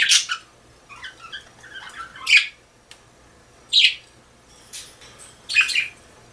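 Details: Pet budgerigar at home calling in spaced, sharp squawks about every one to two seconds, with a soft, warbling chatter between the louder notes against a quiet background.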